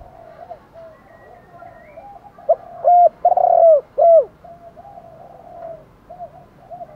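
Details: Spotted doves, male and female, cooing in the morning as a lure for wild doves. One loud phrase of a short note and three drawn-out coos stands over softer background coos from other doves before and after.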